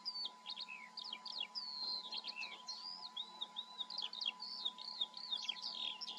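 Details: A Eurasian skylark from the German Eifel sings an endless high, tumbling flow of chirps, rising and falling whistles and rapid trilled bursts, varied and unbroken for several seconds, over a faint background hum.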